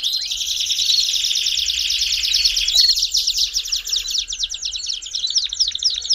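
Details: Dense, fast Belgian canary roll for warming up a canary, a long rattling trill of rapid high pulses that slows slightly near the end, with a faint low hum.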